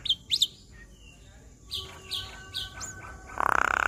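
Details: Javan myna singing in full varied phrases, played as therapy for a stressed caged bird: sharp squeaky chirps, then a row of downslurred whistled notes about every half second, closing in a loud rattling buzz.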